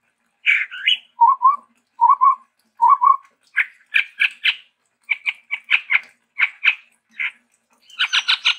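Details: Chestnut-rumped babbler, a Sumatran endemic, singing with variation: paired upslurred whistles, three short low doubled whistles about a second apart, then a run of rapid chattering notes.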